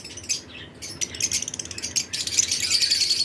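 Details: Caged lovebirds in a breeding-season flight colony with other birds nearby give scattered high, thin chirps in short bursts, growing denser and louder toward the end.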